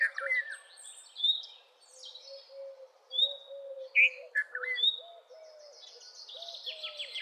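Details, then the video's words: Loud, liquid chirps of a red-vented bulbul repeated at irregular intervals, set against a dense chorus of high twittering birds and a low, rhythmic hooting call underneath. "Red-vented Bulbul Song ! Red-vented Bulbul Call ! Red-vented Bulbul Sound! Red-vented Bulbul Vocals"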